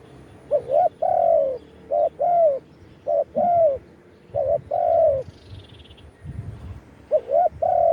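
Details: Spotted dove, used as a branch decoy to call wild doves, giving khan yon style cooing recorded live: mellow low phrases repeated about every one to two seconds, short clipped notes alternating with longer sliding coos.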